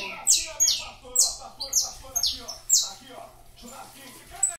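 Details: Captive saffron finch from a breeding aviary singing: a fast series of sharp, high chirps, each sweeping down from very high pitch, repeated about every half second, with faint softer sounds underneath.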